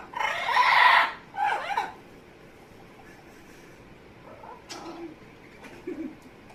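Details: Pet Amazon parrot making funny noises: a loud, harsh, broadband screech, then a shorter second squawk, followed by soft scattered clicks and faint murmuring notes.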